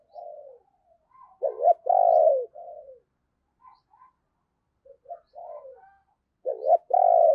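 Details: Lure spotted dove cooing to attract wild birds. Mellow low coos lead into a loud, broken double coo and a sustained descending note. Quieter notes follow, then a second loud coo begins at the end.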